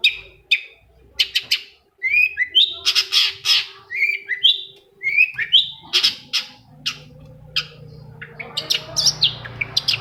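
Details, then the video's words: Long-tailed Shrike (cendet), a lure to prompt another shrike to sing: a busy, varied run of chirps, squeaks and rough bursts, rapid and irregular, growing denser and noisier towards the end. "PANCINGAN CENDET MALAS BUNYI SEKETIKA CENDET LAIN LANGSUNG NYAUT!!! | Singing of shrike bird"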